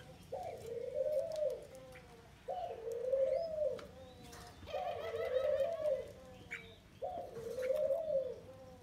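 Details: Caged spotted dove, taken from the wild 12 days earlier, repeating four deep, smooth coos about every two and a half seconds. Each phrase starts abruptly and swells slightly, with brief chirps and clicks in the background.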